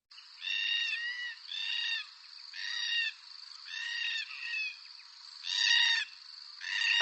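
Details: Red-tailed Black-Cockatoos, which gather in large squawking flocks where food is plentiful, give harsh, rolling, trumpet-like screeches, about one a second, with a steady high hiss behind them.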